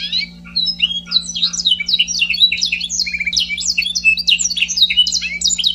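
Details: Scotch Fancy canary song made of quick jumbled chirps and downward-slurred notes, tumbling continuously for nearly six seconds with a brief trill in the middle, over a faint constant electrical hum.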